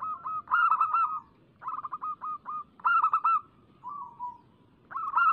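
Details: Lure recording of a local zebra dove in lively song: clusters of fast, soft staccato coos, each burst of four to six notes, separated by quieter trilled passages and a brief descending purr.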